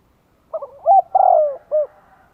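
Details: A single lure phrase from a decoy spotted dove in Vietnam, calling to draw in wild doves: a few hurried soft coos, a sustained falling croon, and a last brief coo, in otherwise quiet surroundings.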